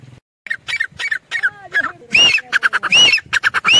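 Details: A female grey francolin (Ortygornis pondicerianus) gives harsh, loud squawking notes in quick succession, growing into shrill, ringing repeated phrases.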